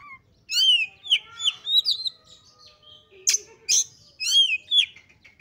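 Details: Oriental magpie-robin in agitated, emotional song used to provoke other males, pouring out a continuous stream of varied whistles, slurs and harsh chips with rich overtones.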